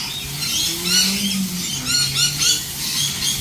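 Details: Lorikeets calling together in a busy chorus of harsh, high screeches with bright ringing overtones, overlapping bursts rising and falling throughout, plus a low background hum.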